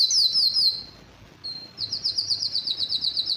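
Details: Canary in breeding excitement singing high sweeping notes, falling quiet briefly, then resuming with a fast, evenly repeated high trill.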